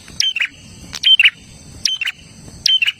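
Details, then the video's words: Olive-backed tailorbird, a recording used to get caged birds singing: quick, shrill, descending chirps ending in rasping buzzes, four phrases in quick succession. "Suara prenjak Gacor Dor"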